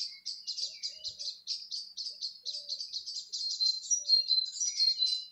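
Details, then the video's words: A May 2020 birdsong recording from Gorleston, along the Norfolk and Suffolk border: rapid high-pitched chirps and trills from multiple birds running together continuously, with a few softer lower whistles and one brief thump. "Early Bird Sound Map: Gorleston"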